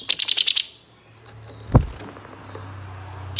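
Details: A Long-tailed Shrike, used as a lure recording to prompt reluctant shrikes to sing, gives a quick burst of six high, sharp chirps in about half a second, then a dull knock and a low steady hum.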